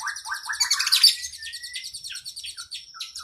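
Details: Quieter passage of oriental magpie-robin song meant for training cage birds: a quick chattering run, a long thin rising whistle, then evenly spaced short high notes.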